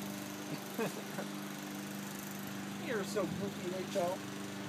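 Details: Pet blue-and-gold macaw talking and jabbering on a summer day speaks a few short, gravelly words with sliding pitch, in two bursts, over a steady engine-like drone.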